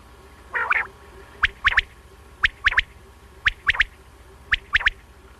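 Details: Common quail, locally called batair, giving crisp three-note calls: one sharp note followed by a quick close pair, repeated about once a second, over a steady low hum.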